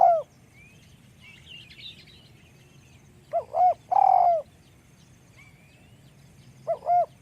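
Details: Spotted dove with a small voice gives one full phrase: two quick hollow coos, then a longer falling coo. The clip opens on the end of an earlier coo and closes on the start of another, with faint chirps from other birds.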